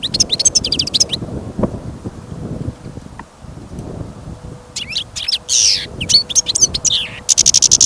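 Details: Caged European goldfinch on trial for its singing, taken outdoors on a bird-trapping outing during sudden snowfall and wind. Rapid, high, tinkling twitters mixed with buzzy notes come in two bursts, at the start and again from about five seconds, over low wind rumble.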